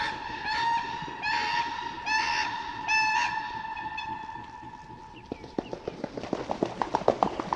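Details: Whooper swan (Cygnus cygnus) recorded in the wild giving loud, nasal, trumpet-like honks, several in steady succession, then a run of sharp, quickening slaps and splashes.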